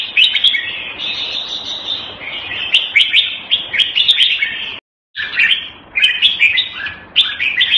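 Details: Red-whiskered bulbul, known locally as jambul, kept as a hobby songbird, singing a dense run of bright, bubbly warbled phrases with a brief break midway before the chattering song resumes.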